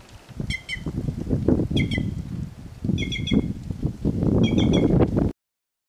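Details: White-naped jay singing free in its natural setting, four well-spaced bursts of two to four crisp ringing notes, heard over a constant low rumble of wind.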